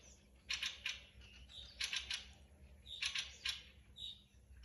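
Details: Thrushes in a forest: loud, harsh, rattling chatter in quick clusters of two to four bursts, three clusters in a few seconds, with a softer high chirp between them.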